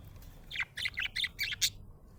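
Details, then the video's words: A happy budgerigar chirping: a quick run of five or six bright, high warbled chirps packed into about one second, each slightly different in pitch, over a faint low background hum. "Happy budgie chirping sound"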